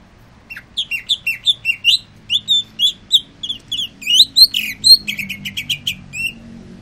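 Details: After its sunbath, a captive greater green leafbird sings a loud, rich, continuous song of varied high whistles, slurred chirps and rapid trilled notes, changing pattern every second or so, with no other sounds.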